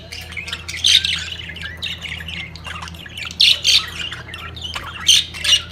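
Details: Mating-peak budgerigars give loud harsh squawks in bursts, near one second and again around three and a half and five seconds, between softer warbled chatter, with a low electrical hum beneath.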